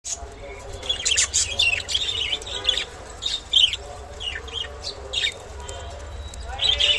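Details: An albino budgerigar chatters in a steady stream of high chirps, clicks and scratchy warbled notes.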